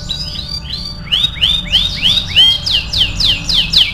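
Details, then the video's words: Canary song used for song training: a series of repeated upslurred whistled syllables, accelerating into loud, bright, fast downsweeping notes that repeat several times a second. "MASTERAN KENARI AF GACOR"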